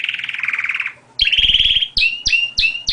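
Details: Canary song with a rapid buzzy trill, then a steady rolling tour followed by repeated sharp downslurred chirps, each with a faint click.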